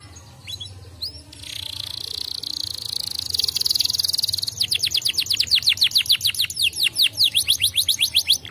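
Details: Canary singing a stimulating song meant to encourage other canaries to sing. A buzzy sustained roll gives way to a fast series of sharp, repeated down-slurred notes, about two to three per second, bright and high.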